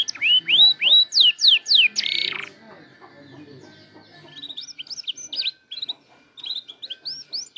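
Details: Canary beginning to learn sounds and song: loud rising whistles and falling sweeps with a buzzy burst, then softer, scattered high twittering chirps in short clusters.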